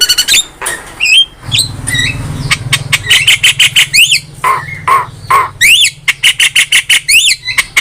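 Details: A loud Javan myna in top form, recorded for songbird training, gives jumbled whistles and harsh squeaks, then rapid repeated chevron-shaped chirps in quick series over a low steady hum.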